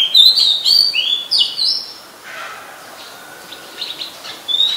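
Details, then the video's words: Oriental magpie-robin (Copsychus saularis) singing in Ubon Ratchathani, Thailand, on 17 July 2021: rich, varied whistled phrases slurring up and down, a pause, then a few thinner notes and another clear whistle. "นกกางเขนบ้าน Oriental Magpie Robin (singing)"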